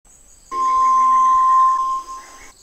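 A White-throated Tinamou gives one long, pure, mellow whistle held at a steady pitch for about two seconds, over a soft background hum and faint insect buzz.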